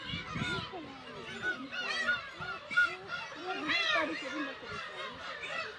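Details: Thousands of Black-tailed gulls nesting on Kabushima, Hachinohe, Aomori, Japan, June 10 2020, chicks visible, filmed on GoPro HERO8: many nasal, arched mewing calls overlapping continuously, some louder cries near the middle.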